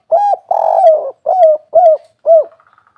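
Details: Spotted dove (derkuku, tekukur) performing a kuk 3 phrase: a clipped opening coo, a long rough drawn-out coo, then three evenly spaced rounded coos, ending with a faint fluttering trail.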